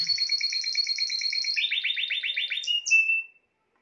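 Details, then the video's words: Spanish timbrado canary song with an evenly repeated two-part pulsing trill, a quicker lower roll, then a few high whistled notes before the song stops and silence follows. "chant des oiseaux timbrado espagnol"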